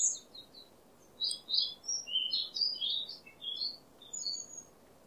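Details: White-rumped shama song for prompting a stressed bird to sing: a busy stream of high chirps and whistles in varied short phrases over light background hiss.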